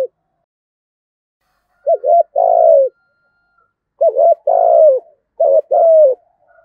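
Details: Decoy spotted dove singing in the rich, resonant 'giọng thổ' style: three low cooing phrases, each a quick doubled note followed by a longer, burry, slightly falling coo, with silent pauses between phrases.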